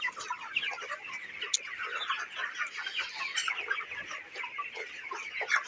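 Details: A flock of 29-day-old broiler chickens on a farm fills the shed with steady overlapping peeps and clucks, many birds calling at once, with a few sharper louder notes standing out from the constant murmur.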